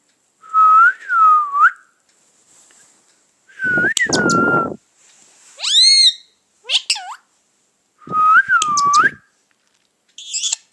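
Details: Pet parrot talking and saying "Mithu Mithu": four loud bursts of rising and falling whistled, voice-like tones, some with a rough harsh edge, separated by short silences, plus sharp chirps between them.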